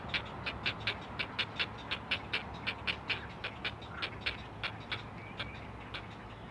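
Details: Four young great blue herons calling for their mother on a live nest camera at the Chesapeake Conservancy: brisk repeated dry clicks in a fast, slightly uneven series, low hum underneath.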